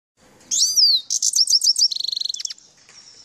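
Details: Song of a grey-headed songbird: a bright high whistle sliding downward, then a rapid run of buzzy, chattering notes, a dry fast rattle of even repeated clicks, and a thin, faint high note trailing off over a quiet background.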